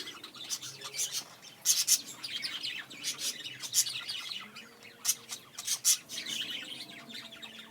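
Budgerigars chatter in bursts of scratchy, high chirps and squeaks as a courtship call.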